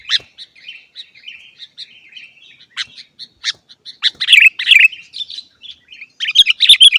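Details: Sooty-headed bulbul song meant to make caged birds sing readily: soft, buzzy trilled notes followed by louder, bubbly phrases of rapid chirps in uneven bursts.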